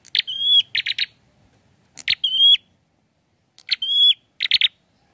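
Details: Prinia singing in three bouts, each a buzzy note, a clear level whistle and a quick stutter of rasping notes.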